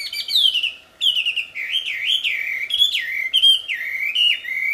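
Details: Wild wambi singing loud, melodious song: whistled notes sliding down, then a run of rising-falling whistled phrases repeated about once a second.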